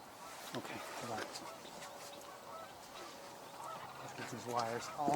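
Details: Cranes calling during a live outdoor stream, some birds close and others farther off in grass; faint scattered calls early, then a louder run of rich, honking notes near the end, with a man talking over them.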